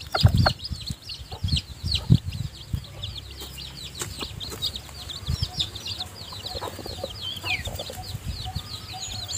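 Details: Newly hatched chicks, too weak to leave the nest, peep continuously as their mother hen feeds them. Dense, overlapping high cheeps run throughout, with occasional low knocks and rustling at the start.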